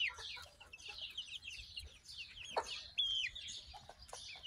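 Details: Month-old barnyard chicken chicks, hatched May 21, 2024, recorded June 22, 2024. Soft, overlapping high cheeps, a sharp falling squeak midway, then a clear, whistled, slightly wavering peep standing out from the chatter.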